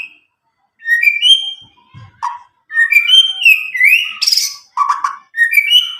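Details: Medan white-rumped shama about nine months old, just out of juvenile spotted plumage, singing loudly and clearly without song tutoring, used to stimulate young birds; clear whistled phrases rising and falling, separated by short pauses.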